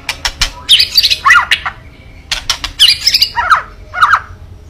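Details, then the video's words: White-rumped shama giving kretekan to provoke an opponent: harsh, rasping chatters and scratchy slurred notes follow groups of loud snapping clicks, in two similar bursts. "KRETEKAN MURAI BATU MEMANCING EMOSI🔥🔥🔥 LAWAN"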